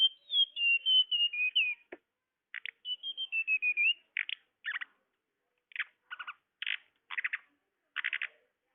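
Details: Tledekan call used to lure birds: a run of high, clear whistled notes stepping gently downward, then a series of short, harsh, buzzy churrs repeated roughly every half second to the end.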